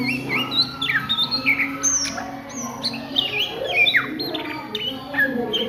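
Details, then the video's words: Oriental magpie-robin at midday, ngriwik style: a string of bright whistled phrases with rising and falling slurs and sharp down-sweeps, evenly spaced, over a low background hum. "SUARA KACER NGRIWIK DISIANG HARI"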